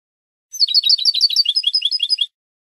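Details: European goldfinch of the Spanish style, from a training recording for cage birds: a brisk burst of high, tinkling, twittering notes with buzzy touches, lasting under two seconds, with clean silence around it.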